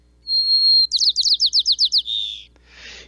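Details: White-crowned Sparrow song in winter on the Mendocino coast, California: a long, clear, high whistled introductory note, which identifies the species, then about nine quick buzzy slurred notes and a short trill, ending in a soft rustle; songs after the opening note vary by area.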